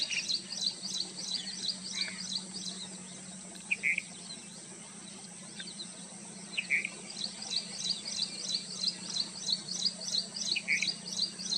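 Red avadavat giving thin, high chirps in quick bursts, about three a second, with a few lower notes, over a steady high insect hiss and faint low hum.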